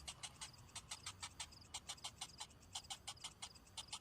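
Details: Begging cinnamon bittern nestling, hungry while its mother returns without food: steady run of crisp, rattling ticks, several each second, broken by faint, high, piping notes.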